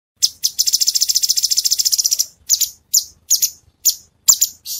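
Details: Cungkok bird singing, a rapid high trill of about twenty notes over two seconds, then a series of separate sharp buzzy bursts spaced roughly half a second apart, bright and high-pitched throughout.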